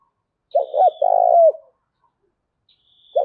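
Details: Spotted dove giving a calling and challenge coo to draw other doves in quickly: a low, throaty burst of quick notes, then a longer vibrating rolled coo, followed by silence and the start of another phrase.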